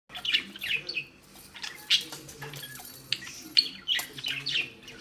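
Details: Female pet budgerigar, angry and fretting as she tries to tear a ball tied to a string, gives rapid high chirps and squeaky chatter in bursts. A low steady hum sounds in the background.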